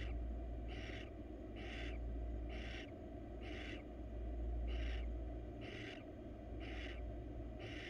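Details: Female barn owl, wild, in a research nest box, seeking attention: a regular string of rasping, breathy screeches spaced roughly 0.7 seconds apart, eight in all, above constant low background rumble.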